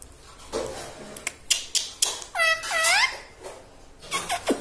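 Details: Pet parrot taught to say "mummy" and "radhe radhe": a few bright, harmonic, bending calls in the middle, between scattered clicks and faint indoor noise.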